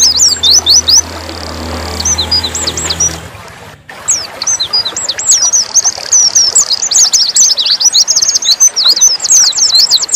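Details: Oriental white-eye of the dakun variety in nembak song. Scattered high chirps come over a low hum at first, then a brief gap, then an increasingly rapid, intense stream of thin twittering notes and trills.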